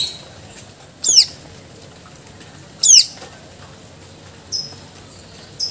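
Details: Greater green leafbird in lively song, showing its repertoire of mimicked phrases. Two loud, very high whistled notes sweep sharply downward about two seconds apart, with faint short high notes after them.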